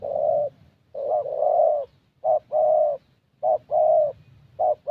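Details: Spotted Dove, young thổ type with a fairly good voice, at a decoy session in Gia Lai; repeated low hollow coos, each a quick note leading into a sustained coo, close and clear.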